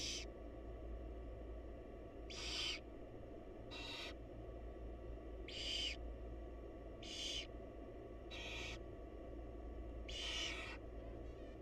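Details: Hissing barn owl calls from a mother with her babies; seven short breathy screeches spread unevenly across the recording, some faint, with a continuous low droning hum beneath.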